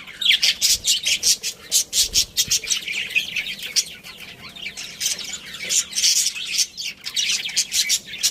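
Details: Chirping from a budgerigar breeding pair and family: steady streams of high, grating warbles and chirps, pulsing rapidly, with a faint low thump near the start.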